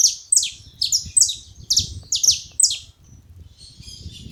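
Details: Saffron finch at a feeding spot, singing a quick series of high, sharp, downward-slurred chips, about six notes in three seconds, then a softer faint trailing twitter; low rumble underneath.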